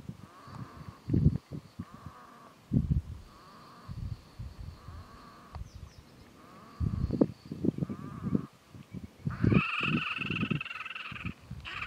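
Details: Red-necked grebes mating at Lille Vildmose: faint drawn-out tonal notes sound through heavy low wind rumble and thumps, then a loud nasal, harmonic, bleating call series rises near the end before fading into buffeting wind.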